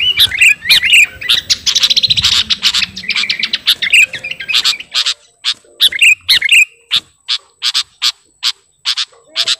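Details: Sooty-headed bulbul, garuda type, singing to call a rival: a few bright whistled phrases and a burst of chattering, broken by sharp clicking taps that continue in a sparse series.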